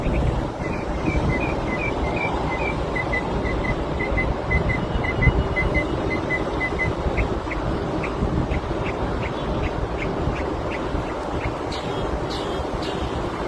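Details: A Northern Mockingbird in a city borough mimics a car alarm in sync with the real alarm: rapid runs of bright, even beeps, then sharp repeated chirps about twice a second, over loud rumbling traffic.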